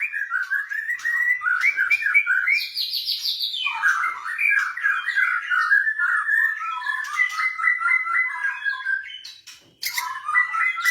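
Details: A caged blorok white-rumped shama sings as a lure to set other birds singing. Continuous varied warbling runs mix rapid trills, a high whistled flourish, and repeated chattering notes; the singing breaks off briefly near the end.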